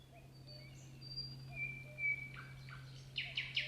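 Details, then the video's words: Singing nightingale opening with thin, drawn-out whistles, then a few short lower notes and a closing burst of three loud, sharp repeated notes, steady low hum behind. "Песня соловья"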